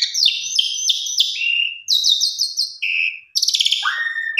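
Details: Female Asian pied starling calling for a male, recorded as a lure: harsh buzzy notes, a rapid rattling run of short pulses, a nasal tone, then a coarse rattle ending in a downward-sliding whistle.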